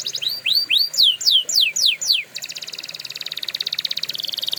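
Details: A canary sings for training use: loud rising-then-falling sweeping notes repeated roughly three times a second, followed by a rapid metallic trill.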